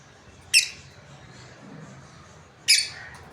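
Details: Lovebirds from a breeding pair: two sharp, bright squawking chirps about two seconds apart, with faint low hum between them.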